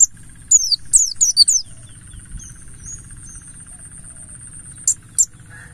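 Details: Buxtoni mountain white-eye lure in 'ngalas' style: an opening run of four or five high, falling chirps, then a long pause and two final sharp notes, with a soft hum beneath.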